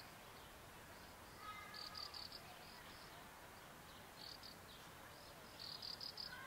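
Graceful prinia giving quick bursts of high, thin, buzzy notes, three or four at a time, repeated every couple of seconds over steady background hiss.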